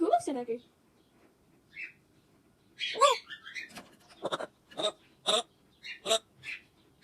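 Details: {'caption': 'Parrot vocalizing: a wavering, voice-like warble opens, then a harsher rising call, followed by a series of short noisy bursts and clicks at irregular gaps.'}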